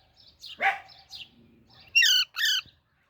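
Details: Soft chirps and a rough scratchy note from a young Alexandrine parakeet, then two loud, harsh squawks in quick succession.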